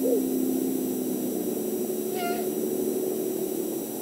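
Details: Great horned owl pair mating on a Montana camera at dusk, 8 March 2019; the male gives whistled notes, a brief curl at the start and a level tonal whistle with bright overtones midway, amid steady hum and hiss.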